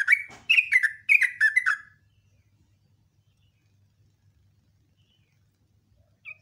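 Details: Sooty-headed bulbul, morning song: a single quick burst of about six bubbling, falling notes lasting two seconds, followed by silence and one faint note at the end.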